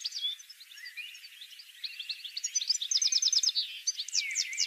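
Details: Goldfinch song for attracting goldfinches to a trap: soft twittering building into a loud, fast run of repeated bright notes, then slurred buzzy calls, over faint background hiss.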